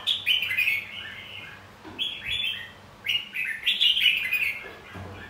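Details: Competitive fighting song of a red-whiskered bulbul of the white-cheeked type, used to train and stimulate singing; three bright warbled phrases with slurred descending whistles, separated by short pauses, clean quiet background.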